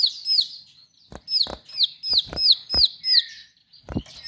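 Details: Bar-winged prinia with sharp, lively song: bursts of high downslurred whistles at about three per second, a short pause, then more notes amid loud dry clicks.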